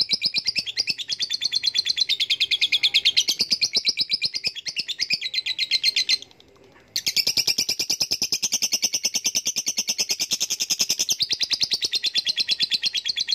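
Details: Lovebird in a long ngekek trill, a dense, rapid stream of high rasping pulses that breaks off for under a second near the middle, then resumes just as fast and strong.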